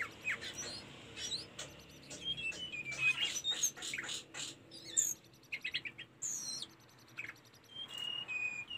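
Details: Tledekan gunung, used as a training recording for caged birds, delivering a fast jumble of high thin chips, clicks and short descending whistles with irregular gaps.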